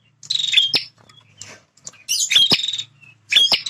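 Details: Energetic male bar-winged prinia, territorial, uttering short, high, buzzy notes mixed with sharp ticks in three clusters, separated by quieter gaps.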